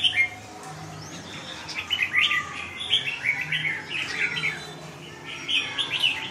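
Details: A tailless red-whiskered bulbul fighting fiercely, giving bursts of short bubbly chirps and squeaks in uneven clusters over a steady room hiss.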